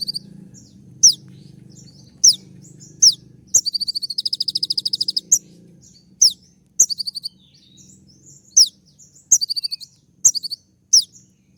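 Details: Sunbird known locally as kolibri ninja delivering a full, varied song said to provoke and court: strings of sharp, very high slurred notes with a fast, evenly pulsed trill in the middle, over a faint low hum.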